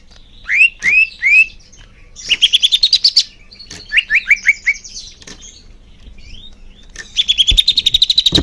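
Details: Greater green leafbird song, used to get caged birds singing: three rising whistles, a fast trill climbing in pitch, a string of quick upslurred notes, and a final rapid trill with a few knocks.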